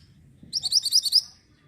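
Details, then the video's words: Orange minivet singing, meant as tutor audio for white-rumped shama: a short volley of some seven shrill, high chirps in rapid succession, ending within a second, over faint low noise. "BURUNG MANTENAN ORANGE SEDANG BERKICAU"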